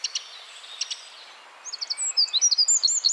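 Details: Eurasian wren in a Czech Republic forest. Faint high chips come first, then a loud, very high, rapid song of sharp trilled notes and twittering phrases that runs to the end.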